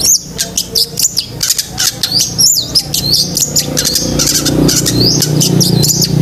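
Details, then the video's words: Long-tailed shrike singing in 'gacor isian' style for training pet birds: dense, varied stream of high chirps, squeaky sweeps and rapid twitters, about three notes a second, over steady low hum. "BURUNG CENDET GACOR ISIAN SEKEBUN"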